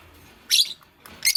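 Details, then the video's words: Fischer's lovebirds, a green and a pastel, at the nest: two short, shrill, buzzy chirps about three-quarters of a second apart in a quiet room. "Lovebird Chirping Sounds"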